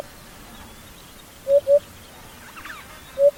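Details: Hoopoe, known in Somali as guuguule, found across Somalia: two soft low hollow hoots, then a pause and a third hoot, over quiet background with faint higher chirps.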